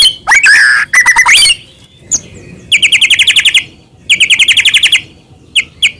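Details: White-rumped shama singing to goad rivals into song: slurred whistles and clicks, then two rapid trills of about ten identical buzzy notes each, followed by scattered short chips.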